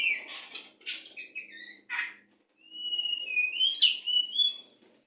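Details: White-rumped shama song for training caged birds: fast scratchy chattering phrases, then a long sweet whistled run that rises and sparkles at the end, over faint low background hiss.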